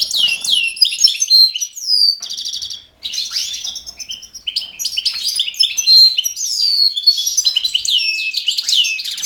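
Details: European goldfinch recorded 5 June 2011, singing a fast, continuous, tinkling song of liquid twitters, downward-slurred notes and buzzy trills, with a brief pause near three seconds before resuming.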